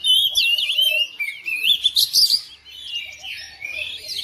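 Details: Pet oriental magpie-robin answering another bird with energetic singing: dense, jumbled whistles, up-and-down slurs and sharp chips delivered rapidly, with a brief lull before it resumes.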